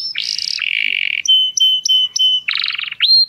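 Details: Dutch-type canary singing to excite females for breeding: a buzzy high phrase, a rolling low-pitched trill, several flat whistled notes with sharp starts, then a coarse rattle and a rising whistle.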